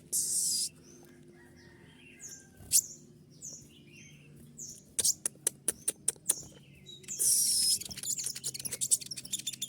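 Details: Brown-throated sunbird (kolibri ninja) singing a full 'tembakan' shooting song packed with varied filler phrases. Sizzling high bursts and thin whistles give way to rapid sharp clicking notes, then a dense high trill.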